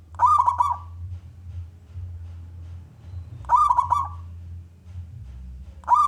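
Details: Local wild Zebra dove, loud-voiced, singing to lure other doves to call; short rolling, stuttering coos repeat about every three seconds over a constant low droning hum.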